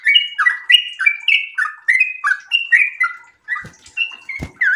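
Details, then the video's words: Breeding-condition sooty-headed bulbul in rapid 'ropel' song: a run of quick slurred whistles, each note sliding downward, then a brief pause and a few more notes, with soft knocks near the end. "trucukan gacor birahi ropel super panjang"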